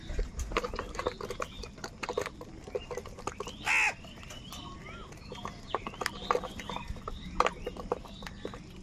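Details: Crows fighting for food, described as angry: one loud, harsh, ragged caw stands out midway. It rises above a dense background of clicks, rustling and scattered short, faint calls from other birds.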